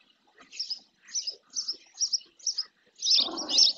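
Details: In the Doñana marshes of Andalusia, Spain, a female spotless starling bathes near its nest on a fixed camera; evenly spaced high chirps about twice a second, ending in louder, rougher notes over a burst of low noise.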